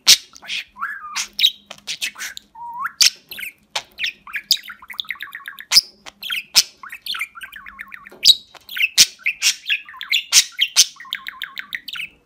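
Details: Pet budgerigar from Rize, 2020, in a recording compiled to teach the words "Babacık Babacık Aşkım"; dense, rapid high chirps, squeaks and warbled chatter with short buzzy notes, continuous throughout.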